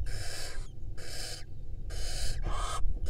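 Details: Barn owl nest in Israel, 2022, female with eggs and hatching young: four long, rough hisses of about two-thirds of a second each, back to back, over a persistent deep background hum.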